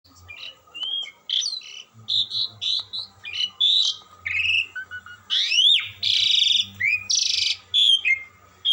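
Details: Asian pied starling singing melodiously without stopping: a string of varied whistles, squeaky notes and loud rising upslurs, separated by short gaps, with a faint low hum underneath.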